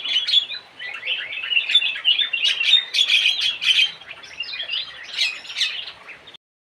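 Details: Busy high chattering and whistled chirps from the Javan cochoa (kidangan jawa, kaso kaso), fast and irregular, with several louder bursts before the sound abruptly stops.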